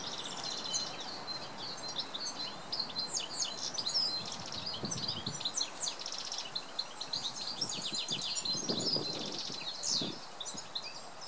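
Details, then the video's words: Male goldfinch song at early morning, a lively stream of high twittering notes and quick buzzy phrases, steady hiss behind and a few low thumps. "Goldfinch singing"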